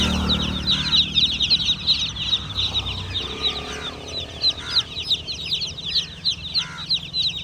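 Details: Baby chicks peep in a lively, high chorus of short, rapid chirps, with a few louder, lower calls standing out near the end and a low hum early on.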